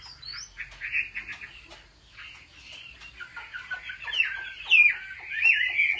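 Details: Chinese hwamei in competitive singing, kept for home training: a varied run of short chirps and clipped notes that builds into louder, sweeping whistled phrases toward the end, with faint low hum underneath.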